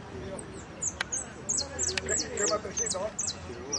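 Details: Jilguero singing in a repique-style competition: sharp, high descending notes repeated almost three times a second over steady background talk from people.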